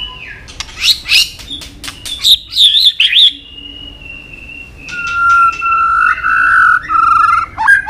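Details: Training song of a white-rumped shama stringing together many forest voices. Clicks and bright chirps lead into long, steady, drawn-out whistles that warble and shift in pitch.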